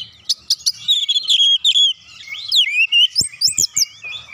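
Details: Oriental magpie-robin singing as a lure for reluctant birds: a few sharp chips lead into long clear whistled slurs, then bright looping notes and quick rising sweeps, with soft low thumps near the end.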